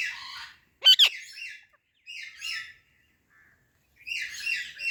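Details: Rose-ringed parakeet, a ringneck talking parrot, giving harsh, bright chirps in short bursts, with a sharp double click near the first second and quiet gaps between calls.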